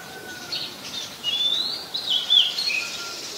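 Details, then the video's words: Oriental magpie-robin singing in Ubon Ratchathani, Thailand, on 14 October 2021, recorded with a Nikon P1000: a run of varied high, sweet whistled notes and short warbled phrases, some sliding, over faint steady background hiss and a low hum. "นกกางเขนบ้าน Oriental Magpie Robin (singing)"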